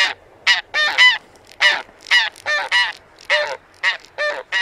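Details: Close, loud honks of taiga bean goose (Anser fabalis): about a dozen strong, rasping, nasal calls in under five seconds, some paired, with short gaps between them.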